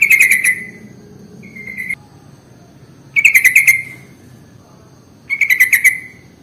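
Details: Lure recording for sooty-headed bulbuls, meant to attract birds of any kind: three half-second bursts of quick, rattling, bubbly notes, two to three seconds apart, plus a short faint whistled note and a low background hum.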